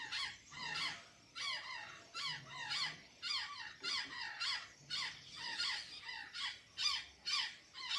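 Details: Azure jay in Santa Catarina, Brazil, feeding on banana and sweet potatoes: harsh, squeaky calls with falling notes, repeated about twice a second in uneven bursts over a faint low hum.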